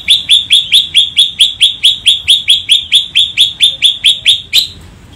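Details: Greater green leafbird in full 'isian cililin' song fill: a steady, sharp, high chip note with a slight downward slur, repeated about twice per second for nearly five seconds, then fading out.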